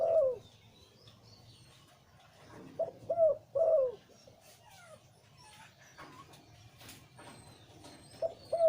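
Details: Zebra dove, a breeding male with a deep voice: loud, low coos with a sharp upward flick and downward fall, grouped in short phrases separated by quiet gaps with faint chirps in the background.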